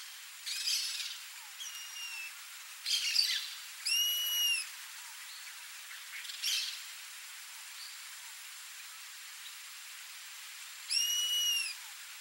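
Rusty-margined flycatcher giving thin, high, slightly arched whistles in short pairs, mixed with a few harsher bursts, spaced irregularly over quiet background.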